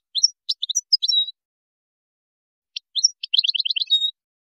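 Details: Moroccan goldfinch giving a Widani-style song: a burst of scattered high chirps and a short buzzy note, a pause, then a fast trill of repeated sharp notes ending in a thin whistle.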